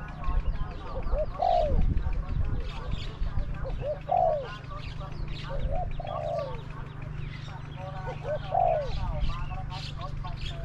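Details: Spotted dove cooing at a decoy trap, where a caged decoy calls against wild birds described as having small to medium voices. Falling coos repeat about every two to three seconds over a steady low hum and background chatter.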